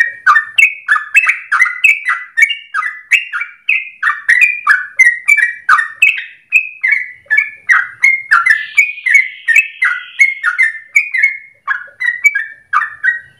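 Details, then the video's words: Long rolling 'ropel' song of a very vocal yellow-vented bulbul, kept as a training lure. Chattering, warbled notes pour out steadily at roughly three per second, rising and falling in pitch, with a brief faint buzzy sound midway. "Trucukan gacor dor ropel panjang untuk pancingan masteran pagi siang sore hari"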